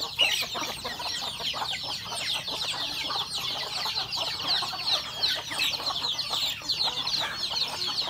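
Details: Domestic chickens, hens and roosters kept at home in a rural setting, feeding at breakfast; constant overlapping high chirps and peeps, roughly two to three per second, with faint clucks underneath.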